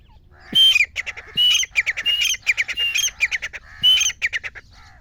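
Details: Grey francolin (gora teetar) voice meant for hunters: loud, harsh, squawky notes given in quick repeated bursts, with a few short low thuds underneath and little background noise.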